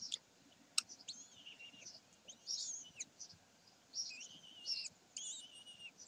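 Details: Common kestrels, Sägeweg, 27 May 2020: a sharp click, then several drawn-out, warbling high squeals that bend downward, arriving in groups roughly every second.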